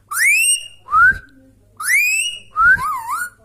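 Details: Natural whistling from an indoor pet Indian Ringneck Parrot: long rising whistles alternate with short sharp upslurs, and the last note ends in a wavering, warbled tail over a quiet low hum.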